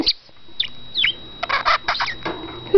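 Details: Caged male pet budgerigar chattering indoors: a few sharp chirps, then dense raspy warbling bursts separated by short pauses, with a faint electrical hum.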